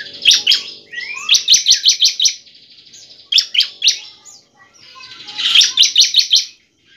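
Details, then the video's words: Bar-winged prinia (ciblek) song played to spur other prinias into singing: several fast bursts of bright, clipped repeated notes, each burst of four to six, linked by thin upslurred whistles. "ciblek semi gacor sangat efektif untuk pancingan ciblek agar ciblek gacor dan ciblek ngebren nembak"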